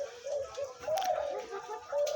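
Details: A new five-and-a-half-month-old spotted dove kept as a hunting decoy, only just starting to call, gives deep, hollow coos, low and throaty, running together over two seconds against faint background hiss.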